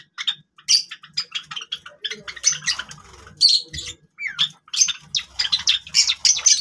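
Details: Java sparrows busy with grass keep up a lively run of short, high chirps and squeaky notes, with brief rustling in between.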